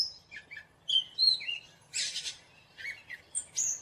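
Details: Gray catbird giving a varied, fast medley of whistled slurs, squeaky rising and falling notes, and one harsh raspy burst, each phrase different from the last.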